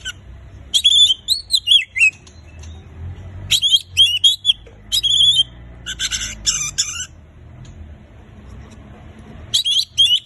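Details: Song of an Oriental magpie-robin used to make mute birds sing: rich whistled warbles with falling slurs, then a long harsh chattering buzz, and whistles returning at the end after a pause.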